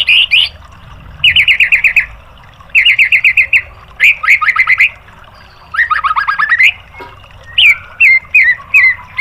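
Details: White-rumped shama song for training caged birds: bursts of rapid repeated notes around mid-high pitch, rattling trills and sweeping whistles, separated by short pauses, with a faint low hum underneath.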